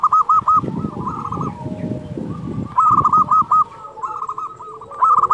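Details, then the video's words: Local zebra dove in strong, active song, used as a training song for quiet doves and as a lure: bright staccato coo notes in quick bursts of five or six, with pauses and low rumbling background noise between phrases. "Perkutut lokal gacor Suara ini sangat di sukai semua jenis perkutut"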